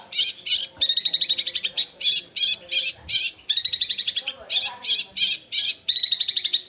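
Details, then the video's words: Rapid sewing-machine-like rolling song of a Long-tailed shrike with sparrow-like phrases. Grating high notes alternate between spaced single chips and tight rattling bursts of several notes in quick succession. "Cendet suara gereja Kunti tembakannya seperti suara mesin jahit roll speed fighter"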